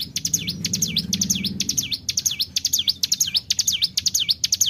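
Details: Bar-winged prinia (cigun) lure song in 'tarikan bren' style: quick pairs of high ticks followed by V-shaped falling-rising whistles, repeated rhythmically, with a soft low hum early on.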